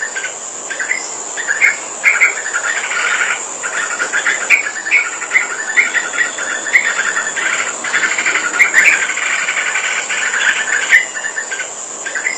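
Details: Sooty-headed bulbul singing actively: short bubbly phrases of quick chirping notes, repeated in clusters through the recording, over a constant high insect-like hiss.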